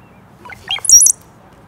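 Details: A Brown-headed cowbird in Michigan gives a few low, liquid gurgling notes that leap into a thin, squeaky high whistle, all within about a second, with quiet around it.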